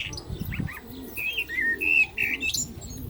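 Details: Common blackbird singing during the call to prayer. Clear whistled notes come in quick succession, bright and slightly slurred, over faint low background noise.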